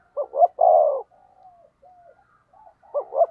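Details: Decoy spotted dove for provoking rivals, giving two short notes followed by a long husky coo, then soft faint cooing and the start of another pair of quick notes.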